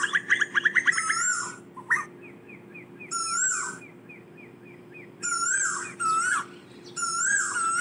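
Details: Asian koel calling to gather its flock: harsh squealing phrases with strong overtones, separated by soft, evenly spaced clicking notes. A steady low hum is heard throughout.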